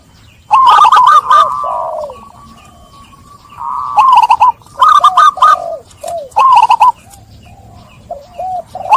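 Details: Zebra dove therapy song meant to restart silent, stressed doves: overlapping groups of quick, bouncing coo notes come in loud bursts, with softer drawn-out notes between them.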